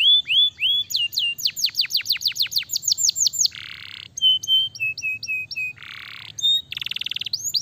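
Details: Canary song, loud and varied: fast series of high whistled notes sweeping steeply downward, repeated rolls and trills, interspersed with harsh buzzy bursts and a rapid high rattle near the end.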